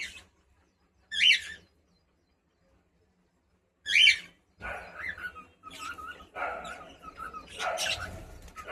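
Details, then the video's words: Pet cockatiel gives two short, sharp chirps about three seconds apart, then softer scratchy, broadband sounds and rustling follow. "cute Cockatiel🥀♥️🥰 natural sound and singing"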